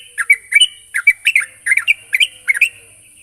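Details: Sooty-headed bulbul in lively voice, calling to a rival: dense run of short chirping, bubbly notes, several per second, with a constant thin high hiss behind.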